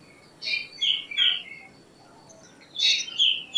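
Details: Black drongo, Dicrurus macrocercus, giving sharp, slurred whistled notes in two short bursts: three quick notes, a pause of over a second, then two more, over a quiet background.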